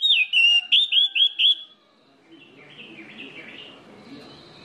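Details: Orange-headed thrush song serving as a lure to get other orange-headed thrushes singing: five loud, rolling whistled notes, each looping down then up, sung rapidly before fading into faint mixed background sounds.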